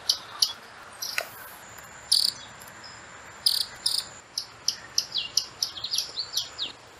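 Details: Common tody-flycatcher, a year-round singer common in cities, whose song is likened to winding a clock: sharp, high ticking notes, scattered at first, then a quicker run of clicks, over a thin insect trill.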